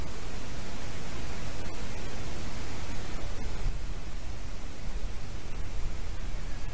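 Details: Steady broadband static and wind-like rumble throughout, with no animal voice heard.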